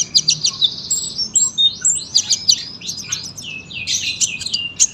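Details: Sunbird in full, long, tight-packed song, used as a master song for training other birds: rapid high twittering phrases of thin sweeping notes, delivered almost without pause.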